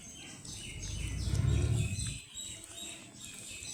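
Ducklings peep in quick, high, downslurred notes, several a second, over a low rumbling handling noise.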